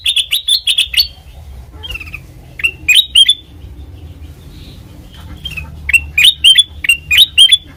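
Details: Black-crested bulbul singing as a lure for trapping: an opening burst of rapid, bright chirps, then scattered single notes, then another quick series of repeated sharp, rising notes.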